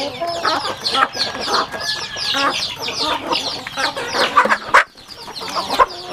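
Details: Rural home chickens eating on a farm: a dense chorus of high, down-sliding chick peeps over scattered pecking taps, with a brief louder burst near the end.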